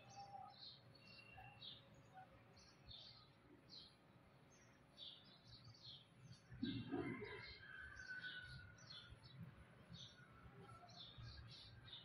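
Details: A mother bulbul with her young chick: quick, high, thin chirps about three a second, with a few lower whistled notes in the middle, over a steady low hum and one dull thump.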